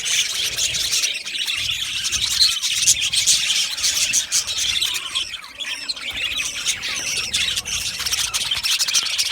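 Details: Budgerigar colony in an aviary, a dense, continuous chatter of many birds: rapid high chirps, squeaks and warbles overlapping without pause, steady and loud throughout.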